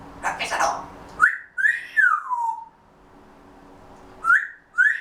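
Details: Grey Parrot talking softly to itself before a nap, waiting for summer: a scratchy mumble, then a series of clear whistles that rise and slide down, a pause, and two more short upward whistles.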